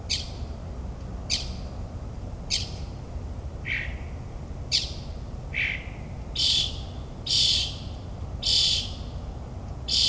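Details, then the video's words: At night in suburban New Jersey, a mockingbird repeats harsh, rasping notes roughly once a second, some short and scratchy, some fuller and noisier, against a steady background hiss and low rumble. "Moonlit Melodies - Mockingbird's Nocturnal Performance in NJ"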